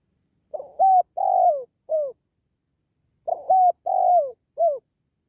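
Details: Cooing call of a spotted dove, played for pet doves or to attract wild birds. A three-part phrase sounds twice: a rising coo, a drawn-out falling coo, then a short clipped note, on a clean, quiet background.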